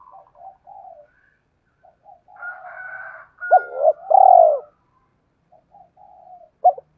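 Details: Spotted dove call played to provoke other doves to coo: soft scattered coos and a thin whistled tone, then a loud burst of low hollow coos ending in a long swelling note, with quieter coos afterward.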